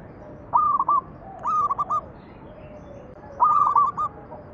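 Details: Lure recording of zebra dove, perkutut, singing: three clipped bursts of rapid stuttering coos at steady pitch, spaced about a second apart, with soft murmuring doves behind.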